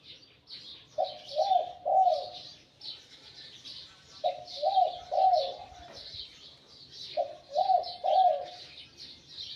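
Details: Phrases of low coos from a wild-caught spotted dove kept as a decoy, said to have a medium-to-large voice. Each phrase has three notes, the last two rolling and stressed, and it repeats about every three seconds. Chirping birds fill the background.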